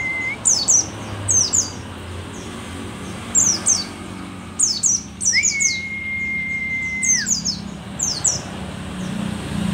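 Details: Mountain white-eye, a rare pleci dakun endemic to Merapi and an old, eager singer, gives repeated short volleys of piercing downward-slurred chirps roughly every second, with one sustained flat whistle midway and low rumble beneath.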